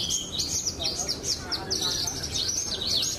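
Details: Pied Javan bush lark, a prize-winning contest bird, giving short, high, slurred chirps in quick succession, some rising and falling, with a few brief pauses and light background noise.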